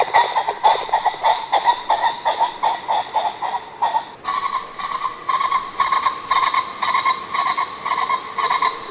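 A pheasant gives a steady run of harsh, nasal, clucking notes, about two each second, slightly higher and louder in the second half.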